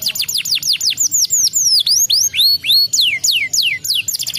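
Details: Canary song meant to draw replies from other canaries: a series of loud, clear downward-slurred whistles, some with rising hooks, about three notes per second.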